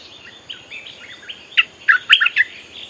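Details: Bulbul singing as a lure for wild birds, with soft faint warbles first, then a loud burst of quick, bright, bubbling notes in the last second and a half.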